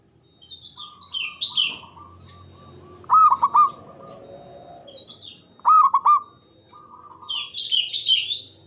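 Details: A local Java zebra dove, loud with long breath, sings as a lure for mute doves: two bright bursts of rapid, staccato cooing, with sparrow-like chirps in the background.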